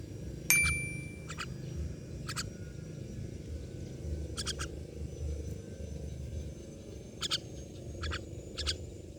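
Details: Myna birds calling: short, harsh, broadband bursts spaced irregularly, about eight notes over nine seconds, one with a brief clear whistle, over a low steady rumble of background noise.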